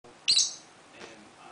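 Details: A sea-green pied peach-faced lovebird gives one sharp, shrill, high chirp, then falls quiet apart from a faint rustle a moment later.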